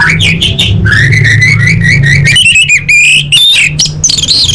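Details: Orange-headed thrush competition training song: an unbroken, loud run of rich whistled and warbled phrases, rapid repeated notes giving way to choppy slurred whistles, with low hum beneath.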